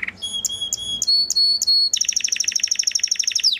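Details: {'caption': 'Belgian canary, breeding male, with high steady whistled notes leading into a rapid rolling trill that ends in a downward slide.'}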